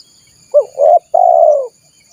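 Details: Single spotted dove phrase from a lure for wild doves: a short rising note, a brief coo, then a long, steady, gently falling coo, with a faint high insect hum.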